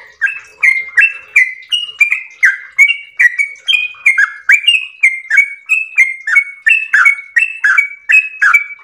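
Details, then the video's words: Yellow-vented bulbul singing a long, continuous 'ropel' style song: rapid run of short whistled, slurred notes, each dropping or rising, delivered about three per second without pause. "ROPEL MERDU trucukan gacor ropel panjang istimewa"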